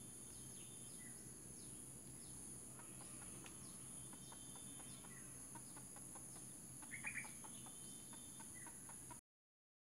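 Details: Female red junglefowl kept as a decoy for trapping wild junglefowl gives a run of soft, quick clucks from about three to eight seconds, with a brief louder burst near seven seconds, over steady insect buzzing and faint distant bird chirps.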